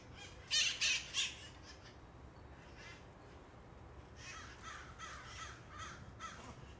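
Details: Feral parrots on Telegraph Hill, San Francisco, calling noisily: three loud harsh squawks early, then a spell of quiet and a run of fainter raspy screeches from further off, over low city background hum.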